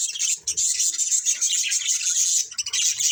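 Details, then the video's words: Budgerigar breeding pair in nearly unbroken, shrill, buzzy warbling chatter, high-pitched and steady throughout, with only brief dips and soft low taps. "Beautiful Budgies Chirping Sounds"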